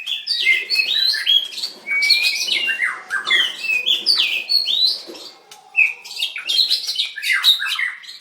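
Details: White-rumped shama, a caged songster in a singing contest, dancing and singing hard; a rich, continuous run of varied whistles, slurs and high chirps with scarcely a pause, notes sweeping up and down.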